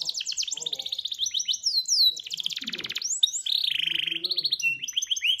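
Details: A yellow Belgian canary sings a training song of bright, high rolling trills and fast repeated chirps, switching phrases every second or so, with faint low murmurs underneath.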